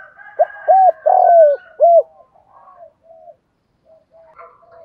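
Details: Cooing of a decoy spotted dove meant to excite wild doves: one phrase of quick low coos around a long vibrating middle note, with faint higher twittering from other birds and weak calls trailing afterwards.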